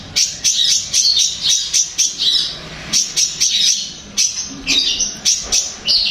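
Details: Long-tailed shrike song, played to make a kept shrike answer and sing: bright, high chattering phrases of quick repeated notes in bursts, with short pauses between bursts.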